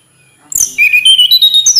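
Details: Tledekan gunung flycatcher giving a quick sharp note, then a string of pulsed whistled notes rising in steps from low to high.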